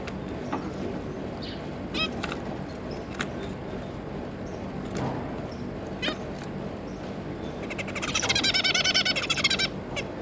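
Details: Zebra finch parents with three juveniles, 9 June 2022: mostly isolated short calls scattered over constant background hum, then near the end a loud two-second stretch of fast, buzzy, overlapping chattering notes.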